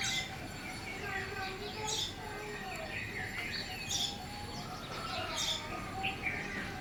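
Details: Wild Indian sparrow in the countryside on a pleasant morning, flying to and from its nest. Bright, short chirps recur about every one and a half to two seconds among other birds' tweets, with low murmuring sounds beneath.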